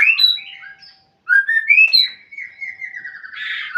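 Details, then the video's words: White-rumped shama calling to a rival: high whistled notes, then a rising slur leading into a long trilled whistle that ends in a buzzy rattle. "murai memanggil lawan"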